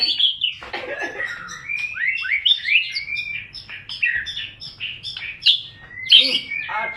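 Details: Song of a White-rumped shama (murai batu), a lure for morning and evening: a fast, varied run of clear whistled slurs, upslurred and downslurred notes, and short chips, ending in a loud rising phrase.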